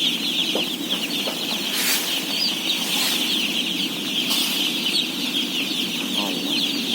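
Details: Day-old chicks, a flock of about 17,000 at feeding time, fill the air with a dense, unbroken chorus of high, thin peeps, and a steady low hum runs underneath with a few brief soft knocks.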